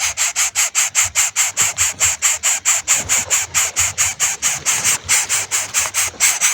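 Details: Hungry baby bird calling for its parent: harsh, rasping, hissy broadband calls repeated steadily about twice a second, each short burst loud and noisy with no clear tone, continuing without pause.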